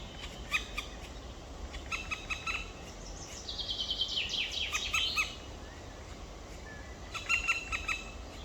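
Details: Two black woodpecker chicks in a nest, 23 May 2023 around 19:43. Bursts of fast, clicking nasal notes are interrupted by a longer, louder, excited chattering squeal in the middle, then more rapid bursts.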